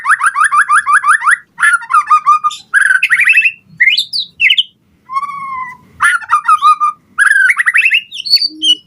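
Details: Energetic white-rumped shama song meant to provoke other birds and teach them its phrases: rapid trilled runs, fluty whistles, a long falling slurred note and sharp high squeaks, in phrases of one to two seconds.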